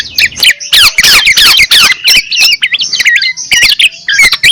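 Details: Black-naped oriole decoy sound: rapid tumbling fluty whistles and slurred notes, interrupted by several loud raspy bursts.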